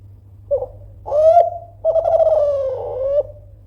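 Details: Spotted dove of Kelantan type, a persistent loud caller trying to make rivals respond. Its three-part phrase runs from a short coo to a rising note to a long, quavering coo that sinks gently. A low hum lies underneath.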